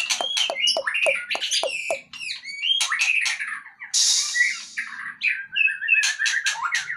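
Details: Out of its cage, a white-rumped shama sings sharp chipping notes, then whistled phrases, then a hissing rush and a rapid run of scratchy and clear notes.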